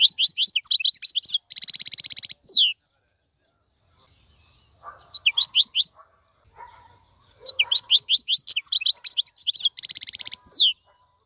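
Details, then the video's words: Caged wild European goldfinch: twittering notes, a harsh buzzy trill, quiet pause with soft low sounds, then renewed liquid twittering phrases ending in another buzzy burst. "مقنين خلوي يغرد بصوته النظيف, تغريد حسون بري دون توقف"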